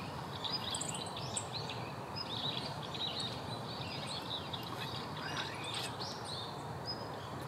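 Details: Male Siberian rubythroat delivering a continuous, scratchy warble of high chirps and twittering notes with quick slurs, with a steady noisy hiss in the background.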